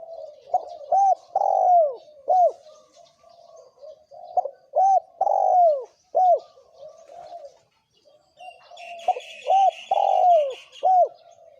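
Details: A spotted dove pair coos in the thổ kim style used to provoke wild doves. Repeated phrases of short arched coos and longer falling notes are joined late by higher chattering from another bird.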